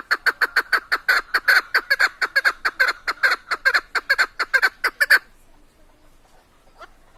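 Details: Rapid, loud chuk-chuk series from a female Chukar partridge (keklik) kept for hunting in Tajikistan, about three harsh clucks per second for five seconds, then stopping abruptly into near silence.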